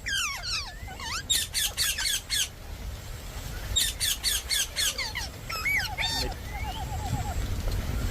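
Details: Indian ringneck parakeet giving runs of harsh, high squawks, about four per second in two bursts, followed by shorter chattering and slurred whistled notes over steady background hiss.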